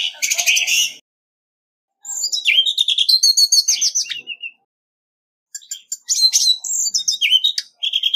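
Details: Orange-headed thrush, Vietnam, in competitive song: three bursts of rapid, chattering notes with buzzy and whistled elements, fast repeated elements in each burst, separated by about a second of silence.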